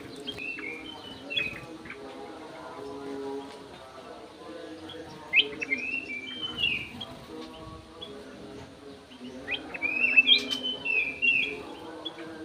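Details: Golden-fronted leafbird housed in an aviary, singing scattered phrases of clear whistles, sharp chirps and quick slurred notes, with a livelier, denser run near the end; low steady hum underneath.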